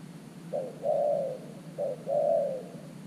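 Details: Spotted dove used as a fresh decoy at an earthen trap enclosure, cooing to lure wild doves: two soft low phrases roughly a second apart, each a short note followed by a long fading coo.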